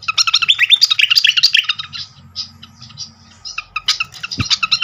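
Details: Lure recording of srikatan (flycatcher) singing: a dense burst of fast, bright twittering notes, then scattered chips and a brief thump before the rapid twitters resume. A low hum sits in the background.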